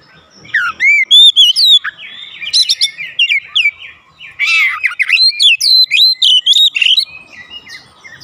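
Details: Oriental magpie-robin song used at home to make other birds respond: a long run of varied whistled notes, sharp chips and scratchy buzzes, rapid and loud, with brief gaps.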